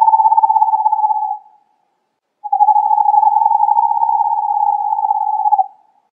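An owl gives a steady, even-pitched trill, a short burst followed by a longer one of about three seconds, with no other sounds.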